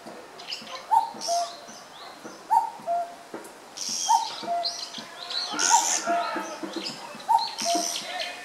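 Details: A pair of Japanese pygmy woodpeckers on 19 May 2013 repeatedly peer into a possible old nest and fly around calling. They give scratchy, buzzy high calls in short bursts, while a common cuckoo high in the trees repeats a steady two-note 'cuck-oo' about every 1.6 seconds.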